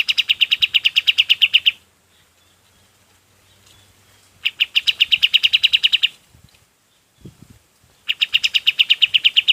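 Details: Golden-bellied gerygone song meant for training other birds: three runs of rapid, high, evenly spaced notes separated by quiet gaps, with a faint low thump between them.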